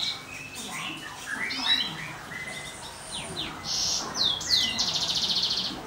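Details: Caged European goldfinch × Timbrado canary hybrid, first clutch. Scattered high chirps build into sharp downward-sweeping notes, then end in a fast buzzy trill. Soft background murmur.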